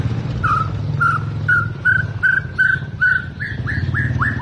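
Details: Albino white-rumped shama from Medan, recorded 9 November 2020, giving a run of evenly spaced clear whistled notes, about two per second, turning into rising upslurs near the end, against a continuous low droning hum.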